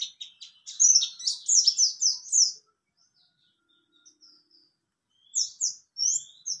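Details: Mountain white-eye (Zosterops montanus), song: a rapid, high twittering run of slurred notes for about two seconds, a pause, then sharp, piercing upslurred whistles.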